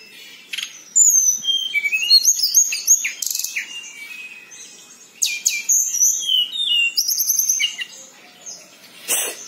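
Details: Local tledekan in a long rolling song, used to lure other birds into singing. A varied stream of high whistles, chattering trills and sharp buzzy bursts runs with brief pauses between phrases.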